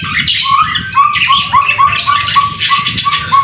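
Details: White-rumped shama singing in the rain, a vigorous training song: a run of short whistled notes near one pitch, repeated about three times a second, mixed with brighter, higher chattering phrases over low rumbling background noise.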